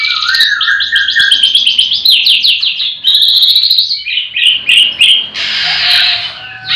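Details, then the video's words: At a livestock pen in the morning, with all the birds singing, a white-rumped shama gives a rapid run of repeated high chirps that blends into buzzy, rasping phrases and a harsh burst near the end. "Pancingan murai batu di kandang ternak ll chirping magpie"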